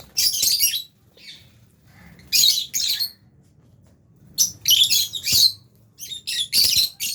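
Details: Albino and Fisher's lovebirds eating in an aviary alongside budgies give loud, harsh, shrill chirps in bursts of two or three, separated by short quiet gaps, from an indoor cage setting.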